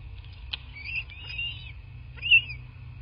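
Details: Bald eagles at their southwest Florida nest, nest camera recording, 8 March 2024, late morning: short high piping squeals with a couple of sharp clicks, the loudest squeal near the end, low hum behind.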